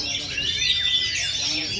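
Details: Oriental magpie-robin (kacer) singing steadily, with a continuous dense run of high, rapidly sweeping whistled and chattering notes, with no pauses across the short stretch.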